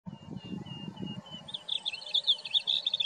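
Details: A singing male Blue Grosbeak gives a quick, rich, high warble of jumbled notes after a low rumble and a faint thin tone.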